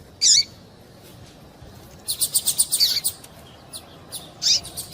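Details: Calls of a female double-collared seedeater meant to stir a male into song. One loud high chirp opens, then a rapid string of about eight short notes, and a final sharp chirp near the end.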